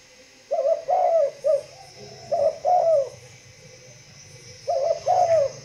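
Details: Spotted dove from a breeding facility cooing in clear three-note phrases, a short coo, a longer falling coo and a brief final note, repeated after pauses over a low hum.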